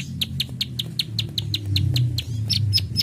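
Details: Plain prinia repeating its sharp 'klik klik' notes in a steady rhythm of roughly three to four per second, accompanied by a strong low droning hum in the background.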